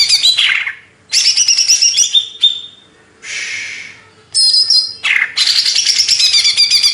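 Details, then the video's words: Energetic song of a greater green leafbird from Banyuwangi, Indonesia: fast chattering runs and falling slurs, a held whistle, a raspy buzz after a pause, then a long rapid twittering sequence. "Cucak ijo | Hyper Ori Banyuwangi"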